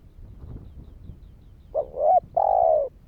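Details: After a stretch of low background noise, a spotted dove gives a short calling phrase to stir other doves: a rising note run into a smooth coo, then a long, even, burry croo.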